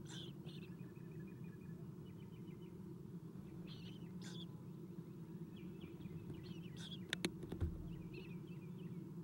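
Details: Adult Eastern Screech-Owl feeding owlets inside a nest box, 7:04 am, 4-11-2016. Thin high twitters and short trilled bursts, followed by a few sharp knocks near the end, over a constant low electrical hum.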